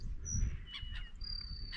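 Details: Grassland sparrow singing in spring, about 4–5 m away and not flushing, at a fishing club with native reedbeds near Saavedra, Argentina; thin, high, drawn-out whistled notes over a man talking and low rumbling wind.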